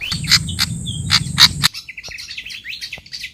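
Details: Pied fantail lure call for attracting wild fantails: loud sharp clicking bursts over a low hum for under two seconds, then a quick run of high, squeaky, chattering chirps.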